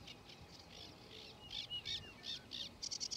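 A male Yellow-breasted bunting sings high, clear notes that grow louder and quicker and end in a rapid ringing flourish, over a faint low hum.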